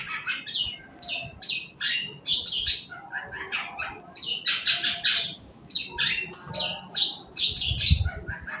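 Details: Long-tailed shrike singing in the morning, a lure song meant to stimulate other birds to sing: loud, varied bursts of harsh, buzzy and chattering notes in quick phrases with short gaps, some lower thumps beneath.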